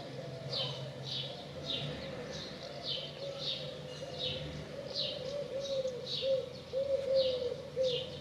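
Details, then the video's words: Quiet, low cooing from a dove runs in a continuous, wavering string of hoots, accompanied by regularly spaced high chirps from another bird and a faint background hiss. "The Dove Song"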